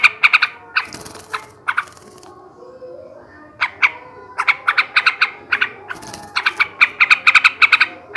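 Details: A male sooty-headed bulbul, song style ngebrem ngekek garuda, intended to lift breeding drive in caged birds. Scattered bright notes and a quiet gap, then an accelerating, rattling chatter of rapid ringing notes.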